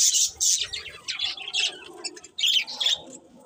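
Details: Budgerigars giving short, high squeaky chirps and buzzy warbles in separate bursts over a faint low background murmur.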